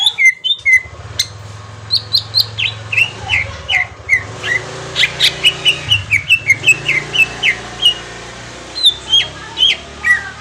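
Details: Green leafbird song used as a lure, possibly from Kalimantan: a flowing string of whistled chirps, sharp and bright, in uneven runs over a steady low hum, with brief pauses between phrases.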